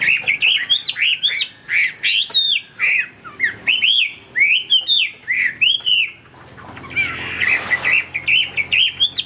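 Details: Hwamei kept by a bird dealer pours out a stream of loud, varied whistled phrases with sweeping up-and-down notes, a softer muddled stretch near seven seconds, then quick bright notes again.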